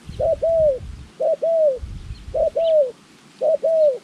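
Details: Spotted dove used in bird-trapping training, January 2020, gives a repeated two-part coo, a short note then a longer arched one, about once a second, over low rumbling background noise.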